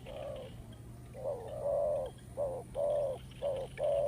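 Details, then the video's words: Spotted dove cooing steadily: low hollow notes paired short and long, repeated about once a second over a constant low hum. "The Sound of Spotted dove"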